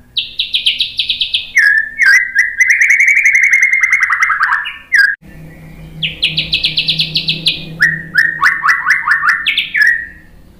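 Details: Song of a white-rumped shama played to provoke other birds into singing: high buzzy repeated notes alternating with lower rapid chattering runs, two main phrases split by a short pause.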